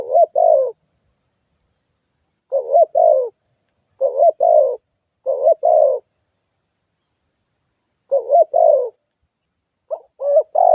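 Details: Lure spotted dove calling to provoke rivals. It gives a series of soft, throaty two-part coos, a brief note then a fuller drawn-out one, repeated every one to two seconds against a still background with a thin high tone.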